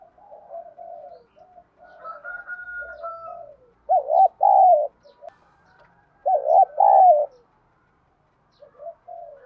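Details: Spotted dove giving 'đồng thổ' style urging coos to stimulate decoy doves: soft murmured notes, then two loud, rolling two-part coos roughly two seconds apart, with quiet notes at the end.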